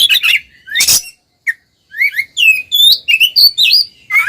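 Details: Oriental magpie-robins in full ngeplong singing, meant to rouse silent birds into song: harsh rasping bursts followed by a rapid run of varied, clear whistled notes sweeping up and down, delivered in quick succession.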